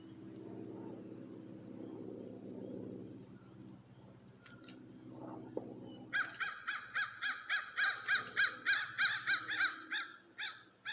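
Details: Crows break into rapid, harsh caws, three or four a second, about a minute after the sky went dark in the total solar eclipse of 8 April 2024 by the river at Piqua, Ohio, as birds flew from the trees.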